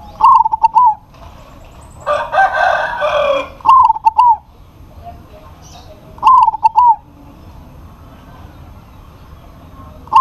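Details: Local zebra dove in full voice calling a rival that answers: four short trilled coo phrases, each a clipped stutter then a warbling roll, spaced a few seconds apart, with a harsh noisy burst between the first two.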